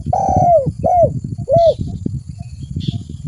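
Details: Spotted dove calling as a lure: one long drawn, falling coo followed by two short arched coos, then low rumbling with faint hiss.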